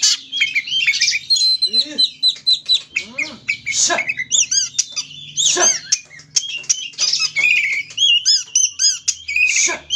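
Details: Oriental magpie-robin (kacer) song used as a lure to provoke another kacer into singing: dense, varied whistled phrases and rapid chirps mostly high-pitched, with harsh buzzy bursts and occasional low swooping notes in between.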